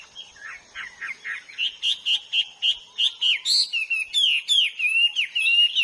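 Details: Hwamei singing in the wild, a rapid string of short, clipped whistled notes, about four each second, turning into longer wavering slurred whistles.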